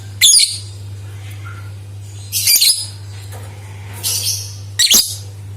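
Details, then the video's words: Lovebird chirping, used as a lure to prompt other lovebirds to sing: four short bursts of shrill, high, squeaky chatter spaced about one to two seconds apart over a steady low electrical hum. "Suara Burung Lovebird Untuk Pancingan | Dijamin 100 % Suara Pancingan Lovebird Gacor"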